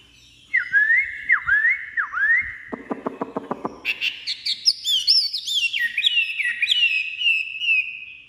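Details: Caged Chinese hwamei just taken out of its carrying box and not yet used to its owner, singing strongly: three swooping whistled notes, a fast burst of harsh clicking notes, then varied high, rich warbled whistles.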